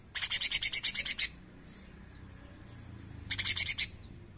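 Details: Cucak cungkok bulbul 'nembak' singing: a long rattle of about a dozen loud, buzzy, rapid high pulses, faint descending whistles, then a shorter rattle.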